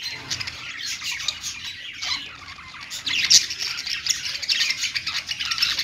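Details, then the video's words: Perched pet budgerigars sing a rambling, chattering warble of mixed buzzes and chirps, swelling louder in the second half with a brief shrill squawk. "budgies singing on perch"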